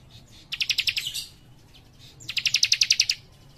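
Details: Actively singing young cikrak in dense 'nembak rapat' style: two high, rapid trills of evenly spaced sharp notes, the second longer at almost a second, separated by a brief quiet gap.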